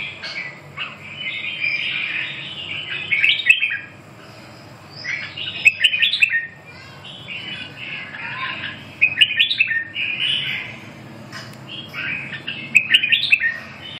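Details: Red-whiskered bulbul singing warbled, whistled phrases in bursts about every three seconds, each burst a quick cluster of bright, slurred notes.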